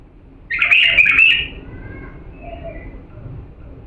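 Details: Authentic bulbul from Diyala singing a clear song used to teach young birds; one short, fast warbled phrase of rich chirping notes lasting about a second, followed by quiet background hum.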